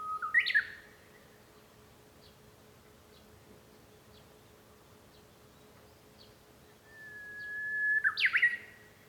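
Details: Two Japanese bush warbler songs heard from home on 5 May 2013, about eight seconds apart: each a sustained whistle building to a loud, abrupt rising flourish, with faint ticking bird notes between them.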